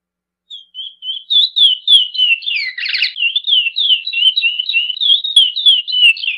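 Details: Praia-style song of a chestnut-bellied seed finch: a continuous flow of sweet, slurred whistles, quick and jumbled, with a short buzzy trill near the start, no other sounds.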